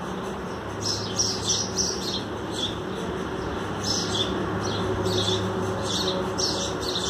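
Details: Sparrow chicks at nests on both sides of a box, two or three young each side, fed by their mothers; clusters of thin, high chirps arrive in bursts separated by short pauses, over steady low hum.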